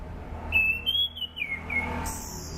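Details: Sunda pied fantail song used to lure and train birds: a sequence of sweet whistled notes that step up, then slide down, ending in a hiss-like high sound.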